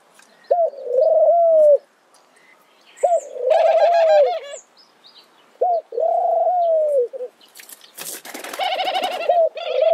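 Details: Low, soft coos of a mourning dove, four drawn-out phrases about two seconds apart, each opening with a brief upward note, mixed with bursts of higher, rapid chattering calls from another bird.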